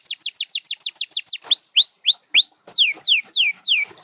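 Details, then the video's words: Canary song built from rapid series of high downslurred whistles, shifting to slower upswept notes and back to falling whistles, about three notes a second, clean with no background noise. "7 Days to a Singing Canary"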